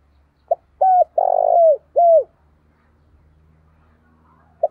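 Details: Decoy spotted dove calling to draw in wild birds: a short soft note, then three strong mellow coos in quick series, a silent stretch, and one brief closing note.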